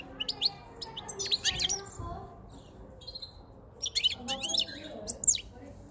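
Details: Caged wild-caught male European goldfinch with a white chin, taken five months earlier, singing as spring and the breeding season approach: bright bursts of high twittering and tinkling notes separated by a quiet gap.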